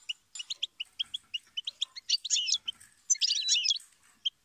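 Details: Goldfinch singing a string of sharp, evenly spaced high chirps that run into dense, liquid twittering flourishes, then a final lone note; clean background.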